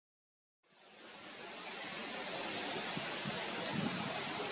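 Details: After a brief silence, a broad rushing hiss like wind or rustling swells and holds steady, with no animal calls.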